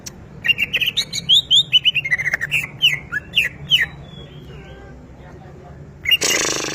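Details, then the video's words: Greater green leafbird kept at home, singing vigorously: a lively string of varied clear whistled notes, some slurred up or down, delivered rapidly for about four seconds before a short burst of noise. "BURUNG CUCAK IJO DI RUMAH GACOR"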